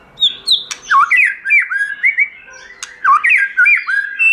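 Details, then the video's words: White-rumped shama singing forest-style for song training: loud quick varied whistles, some sharply dropping, others rising, delivered in short bursts with sharp clicks between phrases. "Chòe Lửa Hót Giọng Rừng"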